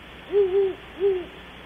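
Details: At Audubon Starr Ranch, California, near 3 am, a great horned owl gives a long, smooth, low hoot with a gentle double swell, then a shorter hoot, and a third begins at the edge; soft hiss throughout.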